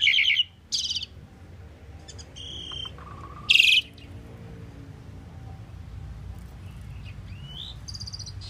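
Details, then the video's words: An Asian pied starling (common pied myna) sings a varied medley of short chirps, squeaky notes and harsh bursts, with rising whistles, in uneven phrases separated by pauses. "Common pied myna bird song"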